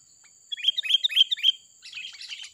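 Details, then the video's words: Wild sooty-headed bulbul singing loudly and lively, its voice used as a lure for trapping birds. Four quick bright chirped notes come in an even run, followed by softer scattered twittering. "KUTILANG LIAR || Suaranya Gacor ngeplong Abis Bikin Pikat Melongok Melihatnya"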